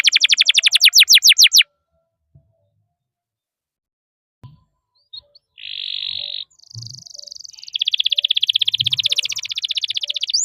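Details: Canary singing as a training lure for other canaries: a rapid burst of descending notes, a long silence with faint knocks, then a buzzy note and an extended fast rattling trill.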